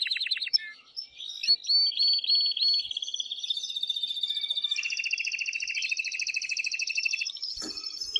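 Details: Strong song of an excited male canary, sung to stimulate mating and for chicks to hear; short repeated notes lead into successive rolling trills stepping higher, ending with a click.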